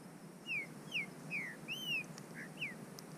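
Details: A breeder's Green-winged saltator, warming up in the woods, gives clear, downslurred whistles, about six bright notes roughly half a second apart, over a faint background hum.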